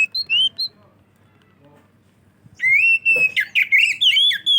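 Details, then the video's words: Oriental magpie-robin singing loudly, a recording meant to attract other magpie-robins: a few short whistles, a quiet gap, then a rich, continuous phrase of long level whistles and fast twitters. "kacer gacor ngeplong cocok buat pancingan burung kacer"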